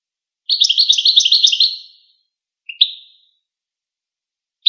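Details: Goldfinch's quick, high chittering phrase of about one and a half seconds, followed by a couple of separate short twittering notes; no other sounds present.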